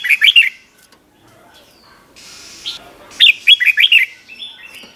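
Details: Red-whiskered bulbul, 'เบิ้ล' (double) style song played for young birds to copy: a short two-note flourish, a pause with a soft hiss, then a fuller run of about five bright, bubbling notes.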